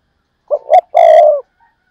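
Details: A single phrase from a spotted dove kept as a decoy: two brief hoots followed by a prolonged, slightly falling coo, with a faint trace of another sound afterwards.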